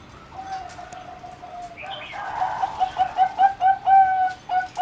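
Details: Aviary-kept zebra dove bred for competition singing, 30 April 2014: a long, soft held coo, then a brisk, accelerating string of bright clipped notes growing louder toward the end.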